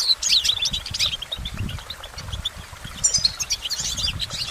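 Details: Goldfinch singing: rapid high twittering notes and short trills delivered in bursts, with soft low thumps and rumbles underneath.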